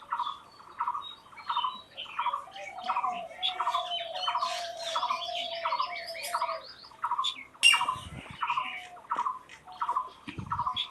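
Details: Birds chirping in the wild: a buzzy trilled phrase repeated about every two-thirds of a second alongside lower whistled notes and high twitters, interrupted by a sudden loud knock partway through.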